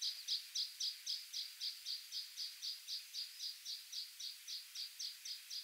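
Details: Water pipit (Anthus spinoletta), call.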